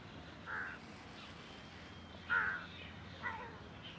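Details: Large-billed (jungle) crow calling on 4 July 2021: three hoarse, nasal caws, the middle one loudest, spaced about a second apart over a faint steady background hiss.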